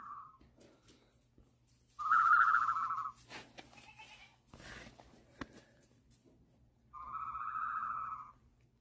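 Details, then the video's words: Ostrich chick gives two steady, mid-pitched, slightly warbled calls about a second long, five seconds apart, with faint clicks and knocks between; young ostriches make this call when looking for their friends, not very loud but carrying a long way. "That's the sound you hear from young ostriches when they're looking for their friends. It's not very loud, but it carries a long ways."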